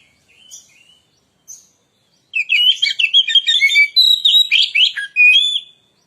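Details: White-rumped shama (kacer) lure song: a few soft, separated whistles at first, then a loud, fast torrent of chattering and whistled notes for about three seconds.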